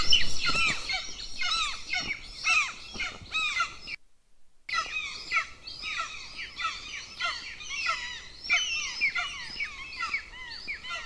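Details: Two golden eagle chicks at a camera-watched nest near a military training field in Lahemaa, northern Estonia, at breakfast on 25 June 2024: dense bursts of high, thin, down-slurred chirps tumbling rapidly over one another, with a brief gap mid-sequence.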